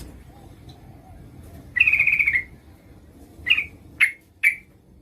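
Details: Female yellow-vented bulbul calling a male, giving one buzzy trill of about half a second, then three short, sharp, separate chirps in quick succession against a quiet low hum.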